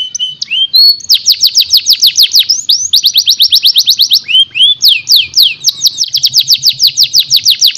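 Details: Tutor song for young canaries: opens with a few rising whistled notes, then sustained rapid trills of bright falling chirps at about two per second, with short swooping whistles between and faint low background hum.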